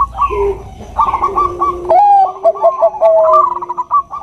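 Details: Bangkok-type zebra dove, a female calling a male; overlapping rolled coos, with a sharp rising note near the middle followed by a string of clipped, bubbling notes and a held low tone.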